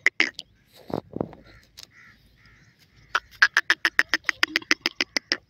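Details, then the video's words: Iranian teetar partridge giving a loud, fast call series: a few harsh opening notes, a brief pause, then a run of about fifteen sharp, evenly spaced notes near four per second. "irani teetar birds hot voice,partridge birds songs"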